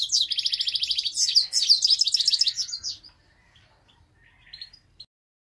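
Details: Grey-crowned goldfinch recorded in Istaravshan city, Tajikistan: a fast run of evenly repeated high chirps merging into a jangling twitter for about three seconds, then near silence broken by a few faint, scattered notes.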